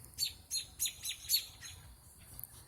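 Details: Birds chirping outdoors in the evening around 8:20 p.m., an unusual hour for them: a run of five thin, high, sharp chirps about every third of a second, then fainter ones, over low background rumble.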